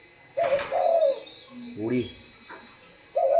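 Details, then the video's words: Spotted dove giving low, soft coos, a short note then a longer mellow one, broken by a brief human voice calling in the middle. A further coo begins at the end. "ĐÂY MỚI LÀ CHIM CU GÁY"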